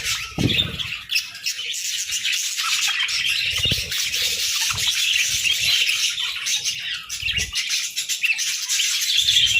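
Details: Several budgerigars chirp together in the morning, a steady stream of high, busy warbling and twittering with occasional low thuds and fluttering.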